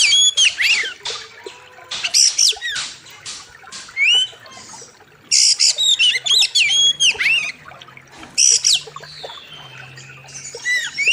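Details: Oriental magpie-robin (kacer) master song for training birds in a wild river setting: bursts of sharp whistles, up-slurred notes and rasping buzzes separated by short pauses, with faint low hum beneath.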